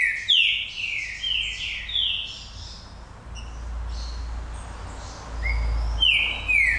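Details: Green-winged saltator known as Pantera Negra delivering a series of four or five clear downward-slurred whistled notes, then a softer gap and a fresh run of descending whistles, over a low steady rumble.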